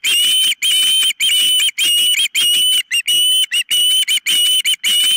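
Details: Osprey at the nest, filmed by a nest cam on 4 September 2023 around ten in the morning: continuous harsh, high whistled screams, each long note running into the next with only brief breaks.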